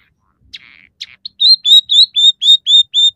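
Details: Scaly-breasted munia singing at its best, with fill-ins of house sparrow, red siskin and canary: a couple of harsh buzzy notes give way to a steady series of clear whistled notes, about four per second.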